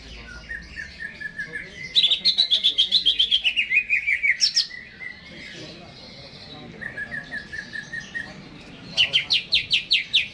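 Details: Greater green leafbird in a cage, singing hard before hanging: a rapid cascade of bright notes sliding downward, a pause with soft chirps, then another quick burst of loud repeated notes.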